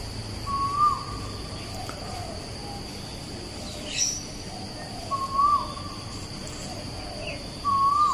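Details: Asian koel singing at Bukit Batok East, opposite Bukit Batok nature park, on 14 September 2021: three rising whistled notes, spaced several seconds apart, over a steady high hum and faint background birds.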